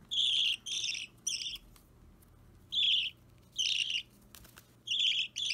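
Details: Young Budgerigar, roughly three weeks old, green or Opaline, being hand-fed indoors on 30 March 2017; coarse, scratchy begging cries in pairs and singles, uneven spacing, with faint rustling and feeding noises between them.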